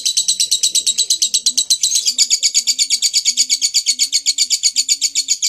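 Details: Ngekek chattering from a lovebird: a dense, fast, high-pitched trill of sharp repeated pulses, steady throughout, with a faint low cooing sound underneath in the background.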